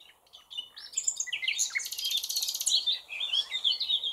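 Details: Dense high song of a common nightingale, a jumble of fast chirps and a buzzy rattle, overlapping with other faint birdsong behind it.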